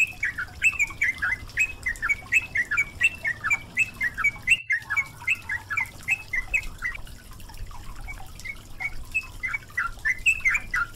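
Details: Yellow-vented bulbul song on a recording meant to get a bird singing, with running water and rain sounds: long runs of quick chirpy, slurred notes, briefly cut out midway, then continuing in lively bursts over a low watery rumble.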